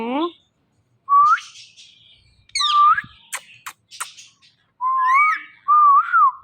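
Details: Pet rose-ringed parakeet that talks: separated whistled phrases, each rising then bending, with a few sharp clicks in between and a final pair of warbled whistles.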